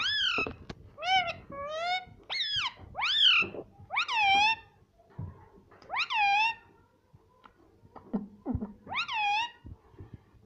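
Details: Pet parrot said to talk and say "Mummy": a series of short nasal, speech-like syllables with rich harmonics, each rising then sliding down, given in bursts, with pauses and soft clicks between.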